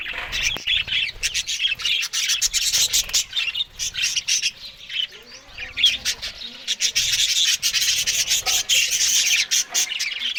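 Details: Morning budgies feeding on green food; high, buzzy chatter and rapid chirps from multiple birds, quieter around five seconds, then swelling into a dense chorus, with a few soft thumps.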